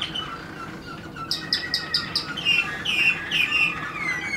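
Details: Waterslager canary singing in 2016: a run of five short, evenly spaced high chirps, then lower rolling, warbled phrases that waver up and down, over a faint steady background hum.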